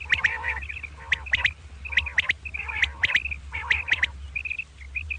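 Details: Common quail in the morning, double 'kirk karkar' calling: harsh, nasal, buzzy bursts repeated about once a second, each tailed by quick high clipped notes, over a low constant hum.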